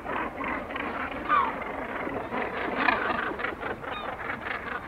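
A dense gannet colony din of harsh, grating calls overlapping without pause, mixed with herring gull cries and distant kittiwakes.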